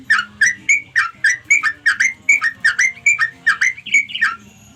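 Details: Sooty-headed bulbul calling its companions: a bubbly sequence of rounded, whistled chirps, often doubled, delivered briskly for nearly five seconds. A faint low tone runs beneath.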